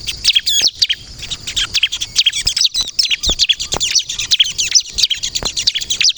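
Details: Energetic crystal bar-winged prinia song meant to lure other prinias into replying: a dense, shrill cascade of fast chirps, trills and downward flicks pours out continuously, punctuated by occasional soft knocks.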